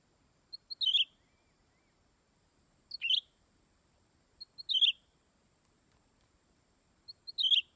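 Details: Greater green leafbird repeating one phrase every couple of seconds: two thin high clicks, then a quick bright downward-slurred chirp, four times in all, with near silence between.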